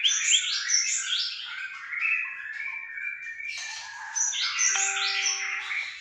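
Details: White-rumped shama from Aceh pouring out a dense, high-pitched song of quick chirps, sliding whistles and trills, with a steady pure tone appearing near the end.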